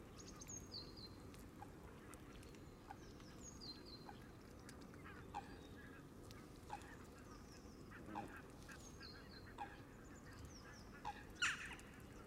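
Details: Canada geese in a flock feeding on green grass at the water's edge around a camera left running: short, scattered honks every second or two over a steady low rumble, with thin, high, falling chirps of small birds.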